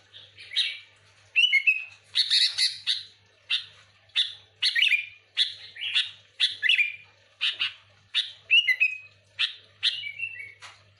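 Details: Repeated bulbul phrases meant to lure other sooty-headed bulbuls, a regular series of chirpy bursts, each closing with a short downslurred whistle, roughly one phrase per second, low hum in the background.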